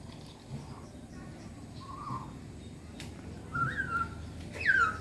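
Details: Five-month-old hill myna of the Aceh type giving two short clear whistles, the second sharply falling, over a steady noisy background hum.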